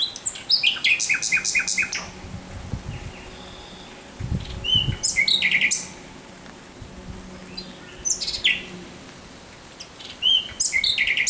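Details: Thrush nightingale singing at night on 17 May 2023: three loud phrases of rapid, knocking clicks and whistled notes separated by short pauses, with a faint low hum underneath.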